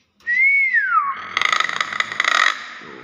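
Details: Nias hill myna gives one rising-then-falling whistle, followed by a harsh, rattling, noisy burst lasting over a second.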